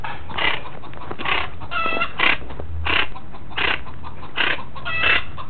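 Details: A chachalaca in Villa González, southern Tamaulipas, Mexico, apparently lost while searching for its nest, gives harsh, raucous calls in quick bursts, about eight in five seconds, over a low steady rumble.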